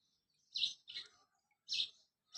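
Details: Colourful baby chicks chirping: loud, high, clear peeps in pairs with short silent gaps between them.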